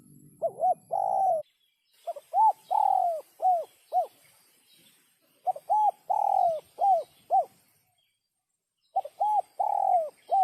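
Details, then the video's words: Spotted dove in sấm chuông (bell-thunder) style, played to stimulate males, females and wild birds; three phrases of mellow arched coos, each with one long drawn-out falling note, separated by pauses. "Tiếng chim cu gáy sấm chuông cực chất cực hay kích trống kích mái kích bổi"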